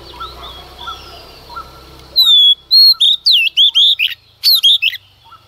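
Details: Female Oriental magpie-robin in early-morning song to provoke males. After a quiet start with distant soft notes and a low hum, a lively series of loud whistled and twisting notes follows, delivered in quick succession.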